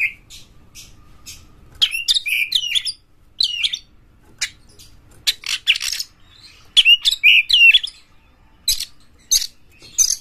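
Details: Intense song of a champion Oriental magpie-robin opening its tail, used to provoke other magpie-robins: loud bursts of tangled warbling whistles and sharp chatter, alternating with sparser single notes.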